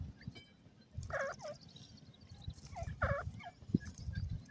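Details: Young francolins, called golden and grey francolin chicks, give paired, slurred, harmonic calls twice, about two seconds apart. Thin scattered peeps are heard under a constant low background rumble.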